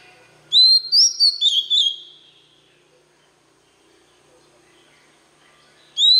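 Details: White-rumped shama song used to train young birds to learn its voice: one loud burst of whistled, sliding phrases near the top of the range, then a long quiet gap before a new phrase begins.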